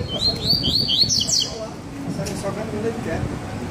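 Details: Double-collared seedeater in a session with two birds singing baderna-style song: a quick burst of high twittering, slurred notes in the first second and a half, then quieter background.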